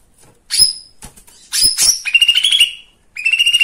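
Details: Lesser green leafbird, likely caged, in a recording played to provoke other birds into singing: sharp high whistled notes followed by a rapid buzzy trill held around one pitch, then another short trill burst.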